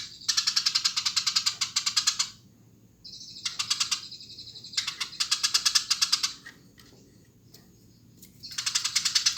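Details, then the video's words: Eurasian tree sparrow chattering energetically in long runs of rapid, harsh chirps, interspersed with a drawn-out buzzy note and brief gaps between bursts. "Burung gereja gacor"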